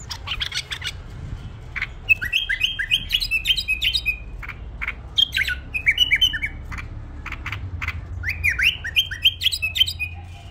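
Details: Tame pet bulbul singing: clear whistled phrases of quick falling and rising notes in bursts, mixed with sharp clicking and tapping noises throughout.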